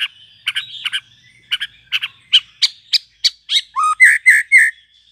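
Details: Young white-rumped shama fledgling just out of the nest, sound used to stimulate young shamas to learn singing: a run of sharp, evenly spaced clicking chips, ending in several short, louder whistled notes repeated in quick succession.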